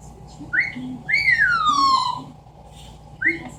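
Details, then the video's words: Indoor pet Amazon parrot whistling: short rising whistle notes and one long tone that rises and then glides downward, with faint low chatter between them. "The many sounds of an amazon parrot."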